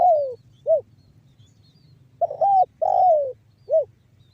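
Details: Tekukur, or spotted dove, giving the banggo bocor lure call meant to set other doves cooing: falling drawn coos ending in short clipped notes, one phrase repeated after a brief pause, loud and clear.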